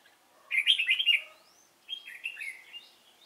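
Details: Decoy red-whiskered bulbul, Cánh ruồi type, noted for a fine voice, singing during bird trapping on 3 March 2017: two loud, rich warbled phrases of quick rolling notes separated by a brief pause.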